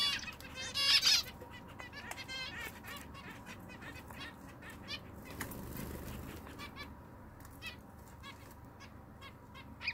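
Zebra finches give a loud burst of nasal, toy-trumpet beeps near the start, then scattered short calls and clicks over a steady background hum and some wing flutter.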